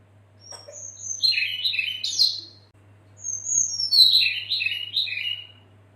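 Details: Female red-billed leiothrix calling to the male, played to coax other birds into song; two lively phrases of high, rapid twittering notes with quick downward slurs, each lasting about two seconds, over a low steady hum.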